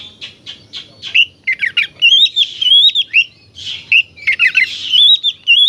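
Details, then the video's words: Oriental magpie-robin in vigorous song meant to make other magpie-robins aggressive: a rapid medley of clear whistles, upslurred and downslurred notes and scratchy buzzes, delivered almost without pause, loud and close. "suara burung kacer gacor"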